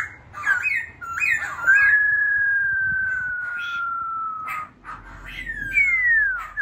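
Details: Newly wild-caught laughingthrush singing long, clear whistled notes that slide slowly downward, opened by short rising and falling slurs, with a last whistle that rises and then falls.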